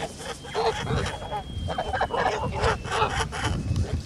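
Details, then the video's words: Kholmogory geese on a farm, recorded 10 August 2017: a steady run of nasal, harmonic honks repeated several times a second, overlapping one another with little pause. "Kholmogory geese in Forest Well Olympus farm."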